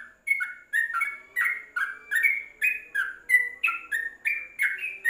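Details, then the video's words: Yellow-vented bulbul used as a tutor recording, kept in a covered cage: a steady string of short slurred whistles, rising and falling, several each second, with a faint lower hum behind them. "Untuk Masteran Trucuk dalam krojong"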